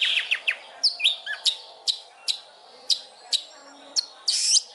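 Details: Long-tailed shrike song for training other birds: a few whistled slurs at first, then sharp isolated clicks about every half second, closing with a loud harsh burst.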